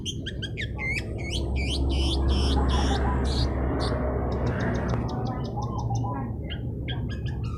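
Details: Long-tailed shrike singing busily, meant to quickly provoke rival birds; a rapid run of sharp, varied chirps and squeaky whistled notes, several per second, with a brief pause midway, over a constant low rumbling hum.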